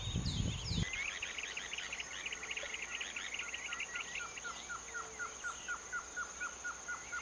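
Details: Planalto Tyrannulet (Phyllomyias fasciatus) in São Mateus do Sul, Paraná, Brazil, giving short, clear whistled notes about three per second after a busy chattering phrase, over a steady high insect whine; a handling thump opens.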